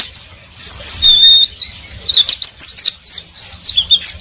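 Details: Oriental white-eye delivering ngeriwik twittering: a sustained thin whistle at first, then a rapid run of sharp high rising and falling chirps, bright and clear over a quiet background.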